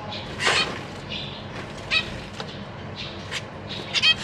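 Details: Caged zebra finch parents feeding their young, three juveniles and three newborn fledglings, 14 April 2023. Loud nasal squawks and short tinny chirps come in quick bursts over a faint hum.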